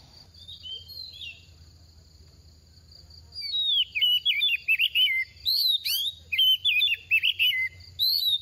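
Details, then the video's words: Oriental magpie-robin, a young adult in its second season, singing while moulting: after three quiet seconds, bursts of rapid warbled, whistled phrases with sweeping trills repeat over a steady high thin tone and faint low hum. "Kích chim hót mùa thay lông | Choè than bánh tẻ lên 2 vụ mau mồm đang rớt lông p3 Kích Choè Than Hót"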